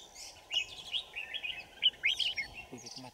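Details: Red-whiskered Bulbul trapping at Kim Bôi, Hòa Bình, on a winter morning, 3 January 2018: a busy, bright warbled song of quick chirps, with a man talking quietly near the end.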